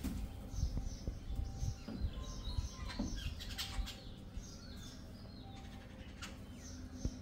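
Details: A gang of jungle babblers gives harsh, squeaky, scratchy bursts clustered mid-clip, over steady low background noise and thin whistles from other birds.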